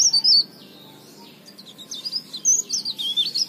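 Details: Leaf warbler singing vigorously as a lure for other leaf warblers; a brief high chirp burst, a quiet pause, then rapid thin zigzag twittering from about 1.5 seconds to the end.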